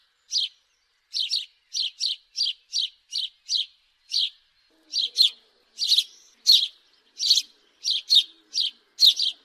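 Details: A house sparrow chirps repeatedly, early notes softer and evenly spaced, later ones louder and broader, with a faint low sound in the background.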